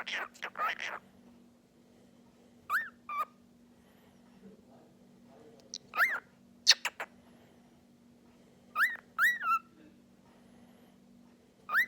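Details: Pet cockatiel, talking and singing, with harsh chattering at the start, then scattered rising whistled notes, single and in twos and threes, separated by pauses over a constant low hum.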